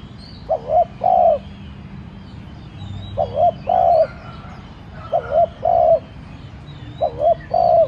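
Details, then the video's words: Spotted dove acting as decoy, cooing to provoke other doves: four phrases of two short rising notes and one longer coo, repeated every two seconds, with faint higher chirps behind. "cu gáy mồi cây thúc nhẹ kích cu bổi dễ gáy. tiếng cu đất gáy thúc"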